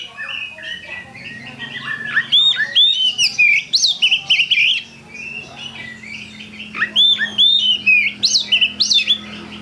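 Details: Oriental magpie-robin (kacer) singing to lure other birds; loud bursts of varied whistles and chips separated by a quieter pause, a low steady hum beneath.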